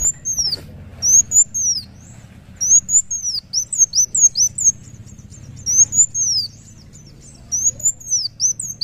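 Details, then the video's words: A sunbird (kolibri wulung) sings very high, thin, arched notes in quick bursts of three to six, repeated every couple of seconds over a faint low hum. "kolibri wulung muncang daun gacor"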